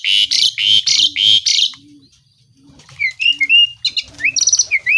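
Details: Asian pied starling singing continuously with mimicked phrases: three loud harsh buzzy bursts, a pause, then clear rising and falling whistles and chattering notes, with a faint low hum repeating underneath.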